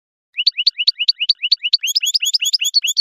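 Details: Khelwi song of an Algerian European goldfinch: a chain of rising upslurred notes repeated steadily, becoming richer and buzzier with added high overtones toward the end.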